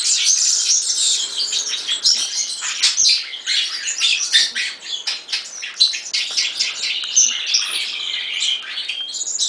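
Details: European serin song: a rapid, high, jingling stream of scratchy trills and twitters, run together almost without pause for the whole stretch.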